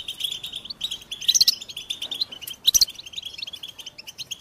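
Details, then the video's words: A goldfinch, Carduelis carduelis, gives a quick, liquid twitter with scattered high sharp notes, including two louder ringing bursts midway; the surroundings are quiet. "Goldfinch motivating songs"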